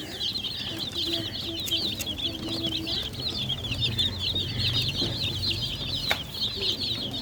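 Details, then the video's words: Domestic hen's chicks peep nonstop, many high, rapid chirps running together into a busy chorus, with a low murmur and occasional clicks in the background. "MURGI CHICKS CHIRPING SOUNDS color full hen baby chicks"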